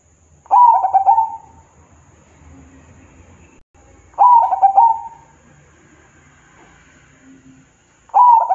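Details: Zebra dove song meant to stir other doves to reply: three fluttering cooing phrases roughly every three and a half seconds, each a burst of quick notes trailing into a held tone, over faint low background hum.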